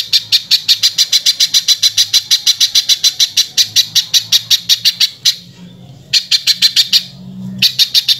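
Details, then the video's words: Velvet-fronted nuthatch giving harsh-voiced song used to train other birds: very fast trilled series of buzzy high notes, two short gaps, then the rattling run resumes. "BURUNG PIJANTUNG GACOR SUARA KASAR FULL TEMBAKAN"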